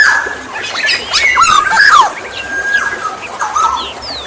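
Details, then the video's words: Black-naped oriole (golden oriole) song used as a lure for other orioles: fluty, slurred whistles and nasal downward notes around a held steady whistle, with a faint rustling background. "Suara Alam kepodang emas | Pancingan burung kepodang"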